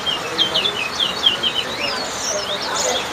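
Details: Large-billed seed-finch, locally towa-towa, singing during a whistling competition at Lusignan, Guyana: a rapid string of high, clear whistled slurs and twitters, then brighter rising notes, with faint voices beneath.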